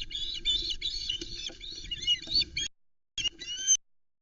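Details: Juvenile osprey at the Loch Arkaig nest, Scotland, 17 Aug 2020, screaming for fish around a midday delivery of a flatfish by its father, insistent high piercing whistled squeals in rapid bursts, a pause, more shrill calling; faint low rumble.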